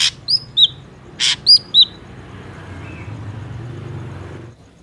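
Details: Ashy drongo, natural sound used as lure for trapping: harsh rasping notes interleaved with slurred, downward whistles in two short phrases, followed by quiet background rumble of distant vehicles.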